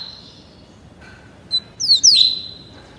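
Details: Thirty-day-old double-collared seedeater learning the tuí tuí Alcântara song: after a quiet stretch, a brief high note followed by a cluster of steep descending whistles and a held buzzy tone.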